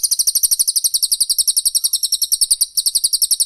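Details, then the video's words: Training recording of Cililin and Pelatuk Bawang song for songbirds: a steady, fast run of sharp high-pitched notes repeated without pause, clear and loud. "TEMBAKAN RAPAT CILILIN VS PELATUK BAWANG"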